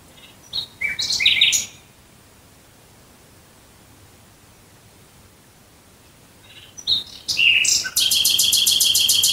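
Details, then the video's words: Nightingale singing at night near Dresden: a short varied phrase of high chirps, a long pause, then a second phrase ending in a fast, even series of repeated high notes. "Nachtigall Gesang Geräusch. Singing Nightingale Sound."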